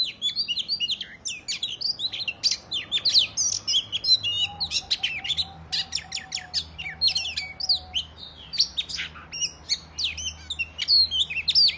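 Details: Oriental magpie-robin delivering a provocative fighting song at other males; almost continuous rapid chirps, slurred whistles and harsh notes, with a faint lower warbling sound behind them midway.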